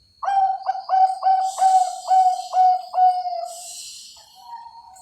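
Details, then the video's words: Bangkok perkutut zebra dove, bred on farms in Cilacap, Central Java, Indonesia, gives eight rhythmic pulsed coos of equal pitch, about two per second. They end in a softer, slightly rising drawn-out note, with some hiss behind. "SUARA PERKUTUT BANGKOK"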